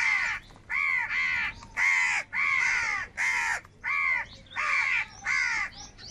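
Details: A steady string of grating caws from crows angrily fighting for food, roughly one and a half calls a second, each hoarse note strong and downward-curving.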